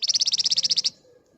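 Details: Flamboyan bird in full, energetic song in the dense rapid 'ngebren' and 'nyerecet' style, used as a lure to make other birds answer: a fast burst of about fourteen high, sharp chipping notes lasting under a second, then quiet.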